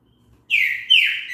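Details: Song of a green-winged saltator, played to prompt another bird to sing: a strong clear whistle followed by a brighter note that drops in pitch, sweet and slurred, with a still background.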